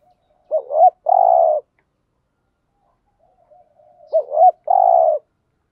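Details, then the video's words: Spotted dove in the 'thúc gù' cooing style meant to lure wild doves. Two matching phrases about 3.5 seconds apart, each a quick wavering double note followed by a long, even, low coo. "Tiếng chim cu gáy THÚC GÙ bài bản giúp bổi nhanh nổi/ bổi nghe xiêng gáy cả ngày"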